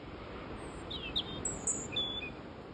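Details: A European Robin perched very close by in Ventnor, before rain, sings loud, thin, high, trilling phrases in quick succession over a steady background hiss.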